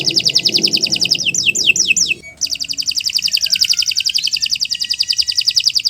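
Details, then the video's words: Canary singing a long training song: a rapid high trill, a few descending slurred notes, a short gap, then a long, very fast and even rattling trill, with low murmuring noise early on. "Kicau Burung Kenari 178 II LUAR BIASA GACOR PANJANG Cocok untuk Masteran"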